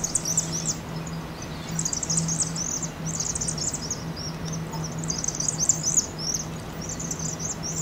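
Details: Flock of Vaux's swifts, fall migrants roosting in a University of Oregon chimney, Eugene, Oregon, at 2.5x speed: clustered bursts of very high squeaky twitters, pulsing on and off every second or so, over a faint low hum.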